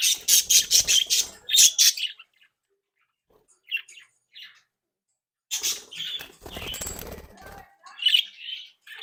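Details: Playful captive budgerigar flock with bred young, chattering: a fast burst of scratchy, buzzy notes, a near-silent gap, then renewed warbling and chirping with some rustling.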